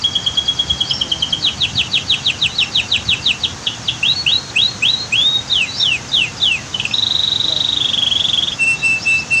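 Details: Canary singing amid waterfall and dam scenery: a rolling trill, bursts of rapid sharp notes, varied slurred phrases, then a flat sustained trill ending on a lower tone, over soft water noise.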